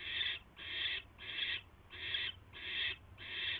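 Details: At a barn owl nest late on the night of 22 January 2016, during a mouse delivery, rasping hisses come in a regular series, six broad noisy bursts roughly every 0.6 seconds, with a faint low rumble underneath.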